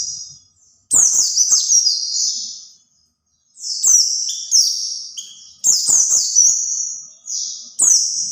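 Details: White-eye singing to attract others of its kind: bursts of shrill, rapid warbling notes that tumble and slide at high pitch, separated by short silences, with light tapping clicks at each burst.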